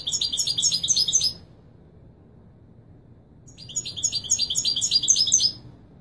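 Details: European goldfinch singing the authentic Widani Marrakchi style used for teaching young birds to sing, two quick, metallic, high-pitched twittering phrases with a two-second silence between.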